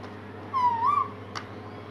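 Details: Pet parrot indoors giving a single drawn-out whistled note that dips and rises again, with a steady low hum underneath and a faint click at the end.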